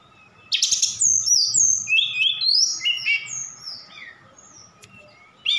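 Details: Javan bush lark from Sukabumi singing energetically, its song filled with imitations of other birds including cililin and sikatan londo: a rapid run of bright, varied whistled and chirping phrases, some sliding downward, then a pause and a fresh burst.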